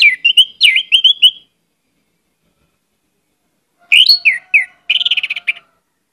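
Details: Orange-headed thrush singing energetically with plenty of mimicked phrases: two bursts of rapid, slurred whistles and chattering notes separated by a long silent gap.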